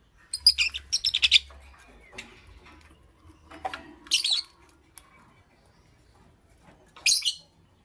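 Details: Morning lovebird chirping: a quick run of shrill, scratchy chirps at first, then a single burst midway and another near the end, separated by near silence.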